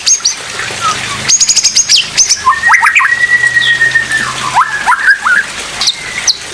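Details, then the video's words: Oriental magpie-robin singing, a training recording for other magpie-robins to learn from: sharp chirps and rapid clicking bursts, a long level whistled note, and scattered upslurred whistles over faint background noise. "Suara Asli Murai Pastol Tembakan Maut"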